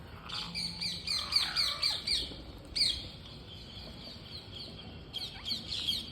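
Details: Green parrots at feeding time give sharp, high squawks in quick bursts, several close together, then a pause and a few more harsh notes near the end, over a faint background hiss.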